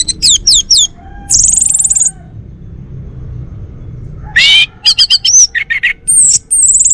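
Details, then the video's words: A male Bali orange-headed thrush kept in a home sings a varied run of rapid slurred notes, a long sustained high buzzy whistle, then a rising sweep and chattering chips ending in another drawn-out high note. "Kicau Burung ANIS MERAH Bali Jantan"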